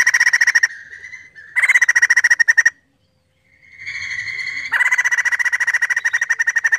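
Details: Crested laughingthrush in full voice, sung to draw other birds into song: repeated bursts of fast, loud rattling pulsed notes separated by steady whistles and a brief silence.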